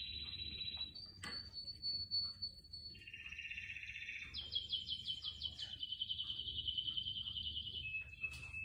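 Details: Canary singing indoors with plants around: short rolled trills, a sharp click, a buzzy lower tour, then long rapid pulsed trills dropping gradually in pitch, ending in a steady whistled roll; quiet low hum behind.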